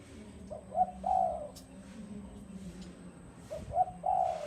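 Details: Spotted dove giving two cooing phrases, each a brief soft note then a drawn-out mellow coo, separated by a pause over low background hum.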